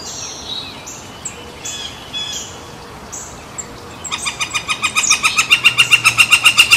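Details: Woodpecker beside San Francisco Bay on July 18, 2023, while a barge crosses; faint high chirps and whistles at first, then from about four seconds a fast, steady, loudening series of sharp rhythmic taps lasting nearly three seconds.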